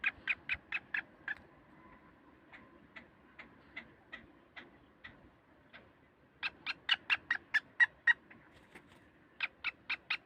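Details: Black francolin from Sindh, Pakistan giving quick bursts of dry, ticking notes. Loud runs at the start, middle and end are separated by a quieter, sparser stretch.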